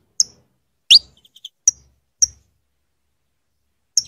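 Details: Female saffron finch calling a lot to bring her mate into breeding condition: high clipped chirps at uneven intervals, one loud rising sweep, a few faint ticks between, another chirp at the close.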